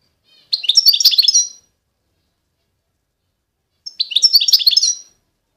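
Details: European goldfinch of the Constantine strain, eastern Algeria, giving two short bursts of high tinkling, liquid twitters about three seconds apart, with silence between them.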